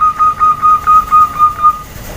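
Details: Female zebra dove call meant to set males answering: a clean, mid-pitched tone broken into quick regular pulses for nearly two seconds, over quiet background noise.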